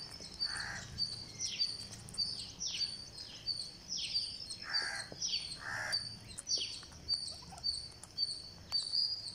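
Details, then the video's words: Begging from a green parakeet being fed on day 49: short raspy harmonic calls, three close together mid-clip. A dense stream of high chirps and downslurred whistles from other birds fills the background. "GreenParakeet Feeding"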